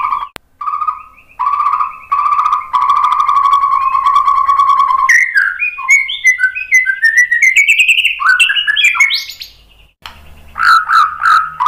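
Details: White-rumped shama lure song for prompting replies: a long, steady, low whistled tone in repeated stretches, then a rising cascade of quick varied whistles and a final lively warbled phrase.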